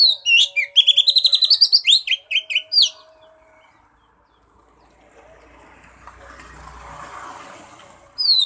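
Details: Oriental magpie-robin, its song played to get a mute bird singing: rapid rhythmic trilled notes and slurred whistles for about three seconds, then a soft rising rumble of background noise before one more sharp phrase.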